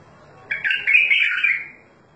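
A bulbul gives one rich, warbled phrase lasting about a second, mid-to-high and slightly wavering, over a quiet background.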